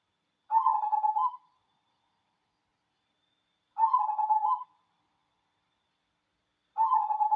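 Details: Wild local cemani-type zebra dove singing its cooing song: a rolling, warbled coo phrase of about one second, repeated roughly every three seconds, clear against a silent background.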